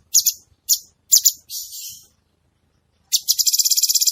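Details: Actively singing cucak cungkok bulbul gives four short, high chirpy bursts and a softer buzzy note, then a pause, before a rapid high-pitched trill starts.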